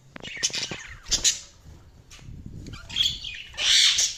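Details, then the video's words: Budgerigars chirping with short scattered squawks and high scratchy chirps, separated by quieter gaps, ending in a louder, harsh, rasping chatter. "Budgies Chirping sound"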